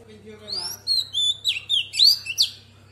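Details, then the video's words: Female Oriental magpie-robin singing to excite males in wild-type voice: a soft lower warble opens, then loud bright whistled notes and steep rising slurs follow in quick succession above a low electrical hum. "Choè than mái hót giọng rừng kích trống căng đét"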